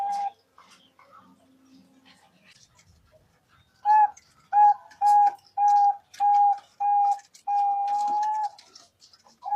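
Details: Zebra dove calling as a trapping lure: after a quiet start, a run of clear, mellow coo notes, about one per second and of even pitch, ending in a longer held note.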